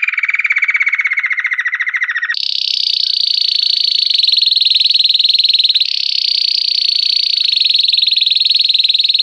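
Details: Pure campainha-style Belgian canary song: long fast trills, a lower rolling tour near the start switching to a higher rapid bell-like rattle that continues steadily with slight shifts in pitch.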